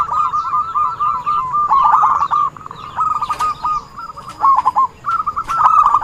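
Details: Zebra dove singing actively, recorded as a lure sound for trapping wild doves: rapid stuttering runs of short, mellow cooing notes at an even pitch, broken into phrases with brief dips in volume and faint clicks behind.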